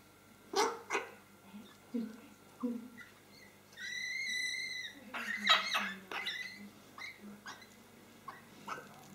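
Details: Hooded crow chick being fed in Mályi on 31 May 2013, asking for food every two hours. Harsh, raspy begging calls come in short bursts, with a drawn-out nasal tone midway, then a run of rasping squawks over a low steady hum.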